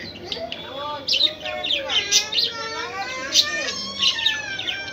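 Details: Budgerigars at a breeding setup where chicks are hatching keep up a busy warbling chatter of bright chirps, rising and falling squeaks and harsher notes, several birds overlapping continuously.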